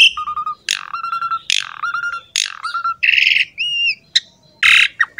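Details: Asian pied starling, a lure recording to draw other birds into song: three repeated buzzy notes, each followed by a level whistled trill, then harsh squawks and a rising slurred whistle.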